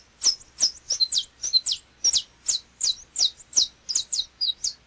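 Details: Song of the canário-da-terra, or Saffron Finch, of Brazil: bright, high, clipped chirps, about three each second, some sliding downward, with near-silent background.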